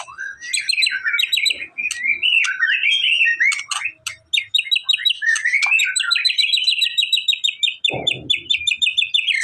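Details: White-rumped shama song used to prompt a reluctant bird to sing: varied whistled phrases followed by a long run of quick repeated chirps, with a brief low thump near the end.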